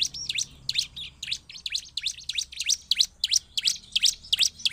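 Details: Bar-winged prinia singing a lively ciblek song used to provoke others: steady, rapid high chirps, each a sharp up-and-down sweep, about three per second throughout.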